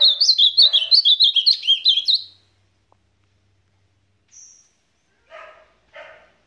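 An ultramarine grosbeak sings a fast run of about a dozen sweet, warbled notes over two seconds, then a lone high whistle and two short buzzy notes.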